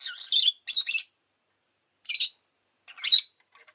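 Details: Agapornis roseicollis, a pet lovebird, calling: three rough high chirps in the first second, a pause, then two more scratchy chirps further apart.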